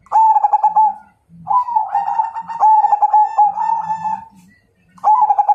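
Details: Fight-challenge song of a Majapahit zebra dove: a rich, vibrating coo phrase, then a long, rolling series of trilled notes lasting about three seconds, before a final stuttering coo begins.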